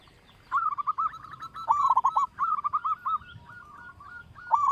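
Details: Local zebra dove with a big voice, recorded as a lure to set other doves singing: fast bursts of low, hooked cooing notes, each burst followed by slower spaced notes, with faint higher chirps in the background.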